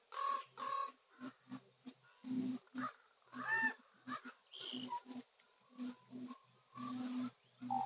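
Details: Common ravens calling at sunset on Nose Hill in Calgary: a long series of short, hoarse croaks and nasal honking notes, some paired, with a faint low hum beneath.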